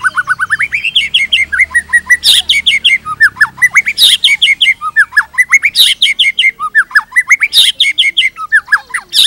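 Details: White-rumped shama in full pancingan lure song for tutoring murai: continuous loud varied phrases of rising whistles, curled notes and harsh bursts repeating in waves about every one and a half seconds.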